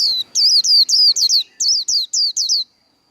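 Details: Líu đấu fighting song of a Japanese white-eye, meant to stir up wild-caught birds: around ten rapid, high twittering notes, each a quick down-slur with a hooked tail, delivered in an unbroken burst.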